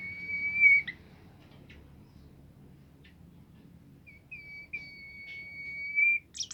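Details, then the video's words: Bimoli bird singing to stir other bimoli birds into song. Two long sustained high whistles are separated by quiet ticks, and a brief sharp chirp burst closes. "burung bimoli lain nya akan ikutan gacor"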